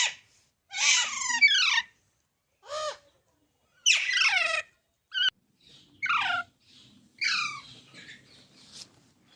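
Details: Baby parrots, green parrots, giving harsh squawking calls in bursts with strong harmonics, some falling in pitch, separated by short silences over about nine seconds.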